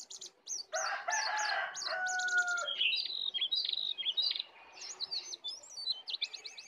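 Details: Heated sooty-headed bulbul contest between a wild and a caged bird, full isian: a harsh, lower churring phrase followed by a long series of rapid, jumpy high whistled notes.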